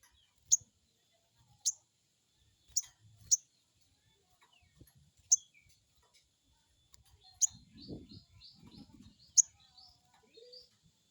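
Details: Crested jay (sogon) giving its crecet call, used as a lure to make a newly caught bird answer quickly: sharp, harsh, very high clipped notes, about eight spaced irregularly, with faint thin whistles of other birds behind.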